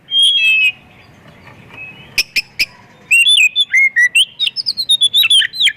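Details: Oriental magpie-robin (kacer) in energetic 'gacor' full-content song, played as a lure to get other magpie-robins singing; a long clear whistle, sharp clicks, then a dense run of varied high whistled phrases, rising and falling notes.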